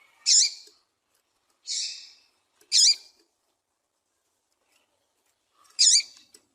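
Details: A female Double-collared seedeater gives four short, high, buzzy 'tui' notes at uneven intervals over six seconds; breeders use this call to excite and stimulate males, including for song tournaments.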